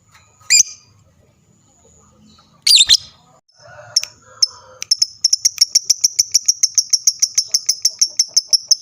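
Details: Lovebird singing to make other lovebirds respond: a few isolated sharp squeaks and a soft warble, then a long, fast, even trill of high ticking notes lasting several seconds.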